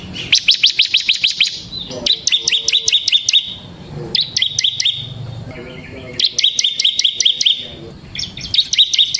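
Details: Bar-winged prinia known as ciblek semi, a kept songster for luring and tutoring birds: continuous dense bursts of high, rapid chattering notes, phrase after phrase, with brief lulls between.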